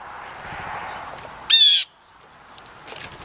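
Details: A blue jay at lunch gives a single loud, rasping call lasting about a third of a second, buzzy and strongly harmonic, with faint background hiss before and after.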